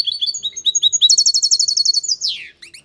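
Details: European goldfinch singing loudly: quick tinkling twitters lead into a long buzzy trill of rapid repeated notes that ends in a downward-sweeping note, then a few faint chirps.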